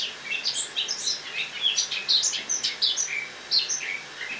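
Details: Morning autumn song of a caged Eurasian blackcap indoors, 1 October 2017: lively high warbling with quick chirps and short downslurred whistles, delivered continuously over a quiet background.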